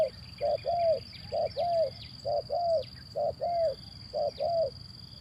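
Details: Zebra dove, a male, cooing as a lure to coax silent doves into calling: rounded low paired notes, a short one then a longer slurred one, repeated about every second, with a steady high-pitched whine behind.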